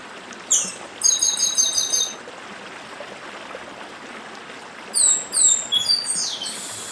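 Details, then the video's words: Chestnut-bellied seed finch performing dedim song with stream noise: two bursts of very high, rapid, buzzy repeated notes separated by nearly three seconds of quiet, steady water murmur. "Papa Arroz Dedim com Som de Riacho (Papa arroz do Nordeste)"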